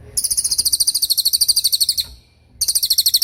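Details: Long, dense tembakan from a racket-tailed treepie: nearly two seconds of rapid, piercing, high notes hammered out about twelve a second, a brief pause, then the same fast string starting again; training audio for shamas and other songbirds.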